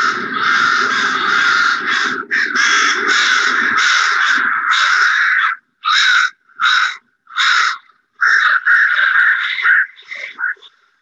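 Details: A huge winter roost of Northwestern Crows gathered around a creek in the Lower Mainland, British Columbia, gives a dense chorus of harsh, overlapping caws, then shorter separate bursts of rasping calls from many birds at once.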